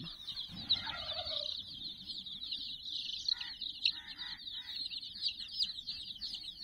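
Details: A flock of sixty baby chickens around a puppy teddy gives a relentless high chirping chorus, broken by a few brief lower, rougher calls in the middle.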